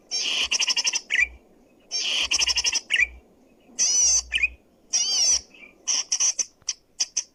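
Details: Zitting cisticola song used to lure or train other birds, loud and clear: rapid trains of ticking notes alternating with harsh wavering buzzes and short lower chirps, ending in scattered clipped notes.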